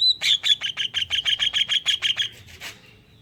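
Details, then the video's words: Greater green leafbird song with kingfisher-style filler, used to draw other leafbirds into singing: one clean, fast trill of about fifteen sharp identical notes lasting two seconds, fading at the end. "Pancingan suara cucak ijo isian tengkek udang"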